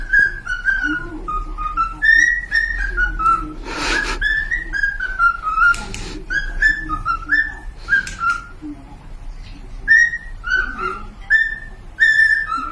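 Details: Pet cockatiels whistling a long tune of repeated up-and-down notes, broken by a couple of loud noisy bursts, with a faint lower warble beneath.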